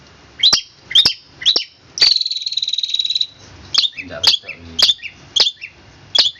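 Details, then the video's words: Long-tailed shrike alternating sharp high chirps with a sustained buzzing rattle lasting over a second, then resuming quick clipped notes, in the "roll speed rapat" song style. "cendet roll speed rapat om kicau"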